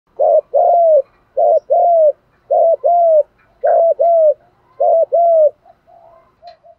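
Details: Spotted dove cooing in the 'Đồng' voice style, used as a lure to attract wild doves: low, hooting coos in paired phrases, each a short note followed by a longer drawn-out coo, repeated about every second in a quiet setting.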